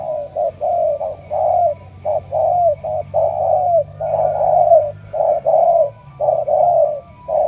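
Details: Persistent low cooing from spotted doves of Cà Mau, Vietnam. Short notes and long gliding coos follow one another closely across the whole stretch, with a faint steady hum behind.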